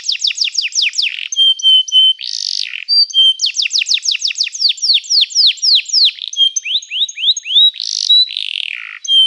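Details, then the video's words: Canary singing, offered as training song: bursts of fast falling notes alternate with flat whistled tones and short harsh buzzy blasts, phrases changing every second or two. "O som do canário cantando é muito gostoso! melhor treinamento para canario"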